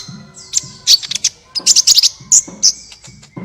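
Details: Sunbird twittering played as an inducement for other birds to sing: rapid, jumbled high chirps and squeaks in clusters, over a soft low rhythmic background sound.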